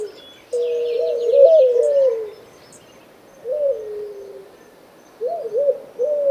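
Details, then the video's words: Turtle dove (Streptopelia) giving low, rolling, wavering coos in three phrases about two seconds apart, with faint high chirps of small birds in the background. "Sounds of Streptopelia"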